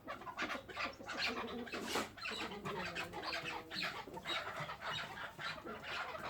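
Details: Captive chukar partridge giving rough, clucking calls in quick bursts, with some lower tonal notes mixed in, against a noisy background.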